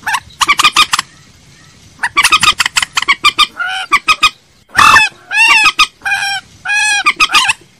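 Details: Common moorhen call used as a lure. Rapid volleys of sharp, dry clucks alternate with drawn-out, nasal, honking notes rich in overtones, plus a sudden loud harsh burst near the middle.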